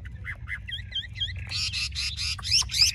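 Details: A large Chinese hwamei from a Vietnamese bird seller gives a few doubled whistled notes, then a burst of harsh, buzzy, scratchy notes with two thin high whistles among them.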